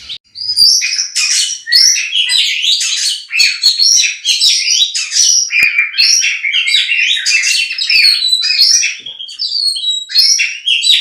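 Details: White-rumped shama song, a master recording for training birds for song contests: a continuous, dense torrent of rich whistles, rapid trills and chattering phrases, loud and sustained with scarcely a pause.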